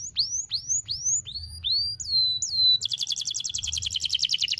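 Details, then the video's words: Tutor song for young canaries, sharp and long in one breath: spaced high upslurred whistles, a couple of falling slurs, then a dense rapid rattling trill. "KENARI GACOR NEMBAK TAJAM , DURASI PANJANG SATU NAFAS || CUIT CUIT MASTERAN KENARI PAUD AGAR BUNYI"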